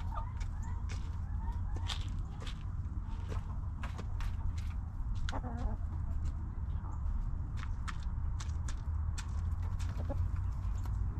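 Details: Backyard hens in their coop give a few short, low clucks, clearest in the middle, over a steady low rumble and frequent sharp pecking and scratching clicks.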